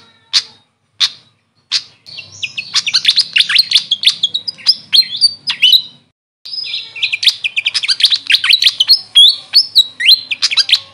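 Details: Grey fantail, locally called Maria Capra, calling: three sharp isolated chips, then a dense, high squeaky twitter of quick downslurred notes. It breaks off briefly, then resumes in an equally busy chatter.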